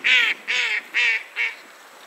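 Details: Goosander uttering four loud, harsh, nasal honks, each about a quarter second long, evenly spaced roughly every 0.45 seconds, with the last call softer.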